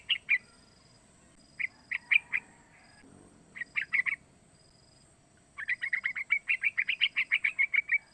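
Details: Young sooty-headed bulbul, about three months old, learning its voice; calls used to provoke singing. Short groups of chirps, then a long rapid even series of bright notes, over low background noise.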